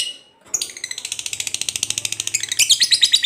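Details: Fighter lovebird starting a long ngekek: after a brief high note, a rapid, scratchy chatter builds, growing louder and denser toward the end.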